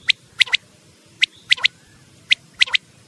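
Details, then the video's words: Quail call played from a hunting lure recording: sharp, high clicking notes in three-note phrases, one note then a quick pair, repeated about once a second over a faint low hum. "Best cassette /batair hunting/1000pakriny wali cassette"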